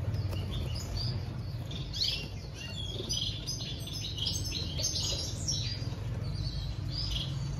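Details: Society finches in a breeding setup chatter busily: dense, overlapping high chirps and short squeaky notes, several at once around mid-clip, above a steady low background drone.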